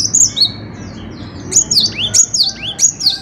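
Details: Cinereous tit singing energetically: two opening whistled phrases, a quiet gap, then a sharp series of descending 'tea-cher' style whistle pairs repeated about three times a second, with faint low hum behind.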